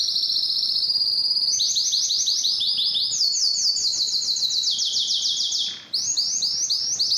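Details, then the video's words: Canary song with a steady high whistle that jumps higher, rapid rolling trills of repeated chirped notes, a brief break near the end, then more quick high trilling. "canary bird sound"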